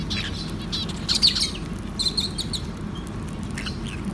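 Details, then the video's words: Lovebirds eating soft food, making short groups of high, thin chirps spaced by brief pauses, the loudest near the first and second seconds, over steady low-pitched background noise. "LOVE BIRDS MEAT TIME SOFT FOOD CHIRPING SOUNDS"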